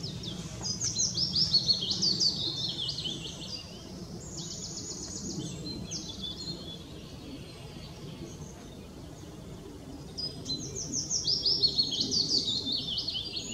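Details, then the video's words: Willow warbler singing at Hindekamp on 4 May 2017: two soft, high phrases of sweet notes sliding down the scale, each about three seconds, over a low rumble with another faint bird. "Zingende fitis"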